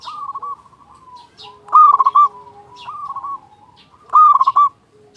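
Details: Zebra dove song used as a master lure for quiet doves: loud trilled coo phrases repeat about every two and a half seconds, alternating with softer rolling coos, and a faint low hum runs beneath.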